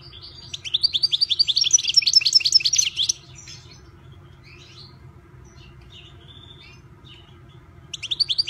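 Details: European goldfinch (Carduelis carduelis), a privately owned bird, singing a fast three-second burst of high, tinkling, twittering notes repeated in quick succession, then near silence before the next phrase begins at the end; faint low hum beneath.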